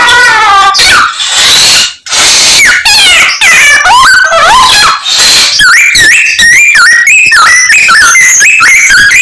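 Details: Samyong singing a full song packed with imitations of many other birds: rapid varied phrases of clear rising and falling whistles, harsh buzzy bursts and short warbled notes, loud and nearly continuous with only brief gaps.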